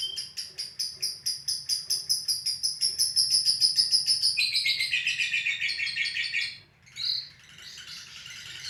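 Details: Lovebird ngekek trill recorded live: an even series of fast high pulses, about five a second, swelling in strength, then dropping into a lower, buzzier chatter before a brief pause and a short final burst.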